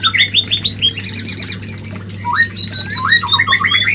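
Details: White-rumped shama mating lure: a quick run of bright repeated whistles, a pause, then rising slurred notes and chattering phrases, with a low hum throughout.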